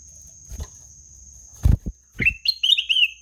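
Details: After several dull knocks and thumps, a ruby-throated bulbul breaks into a bright phrase: an upward-sliding note followed by rapid, rolling whistles that trail off into a sustained warble.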